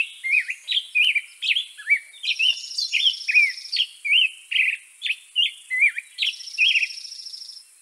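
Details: European robin (Erithacus rubecula) singing a steady run of short, high, chirpy notes that dip and rise, roughly two per second, while a higher buzzy pulsed trill starts and stops in the background.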